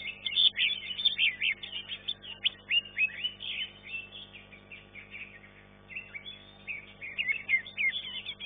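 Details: Green leafbird singing in a bird song contest, class 1, where it took third place: fast, busy chatter of high whistles and trills that briefly drops off mid-clip, then resumes with loud slurred notes.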